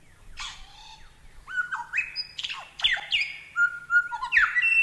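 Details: Lyrebird singing a varied phrase of clear whistles. Sliding notes and level held tones at different pitches, with abrupt jumps between them. Prepared as masteran training audio for cage birds.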